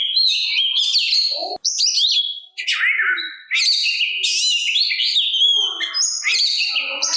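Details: A provoking song from an Oriental magpie-robin, meant to make others of its kind answer and grow combative. Fast, loud, varied whistling and chattering with short gaps, including a faint click early on.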